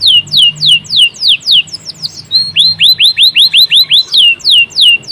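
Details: Local canary singing gacor-style with loud repeated down-slurred whistles, about three per second, a short jumbled twittering passage, then a rhythmic run of identical hooked notes and more slurred whistles.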